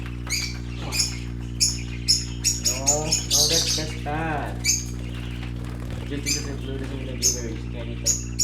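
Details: Young parakeets playing, chirping sharply and repeatedly at high pitch while a person talks through the middle, all over a steady low hum.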